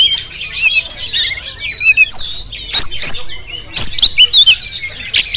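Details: Oriental magpie-robin of the Jampang type, filmed with a GoPro, giving loud, varied song phrases: sharp whistled slurs, clicks and rattling notes in uneven bursts with short silences.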